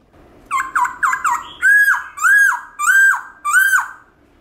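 Black-throated laughingthrush: four quick, clear downslurred whistles, then four longer rich arching whistles, each rising then dropping, in a small room.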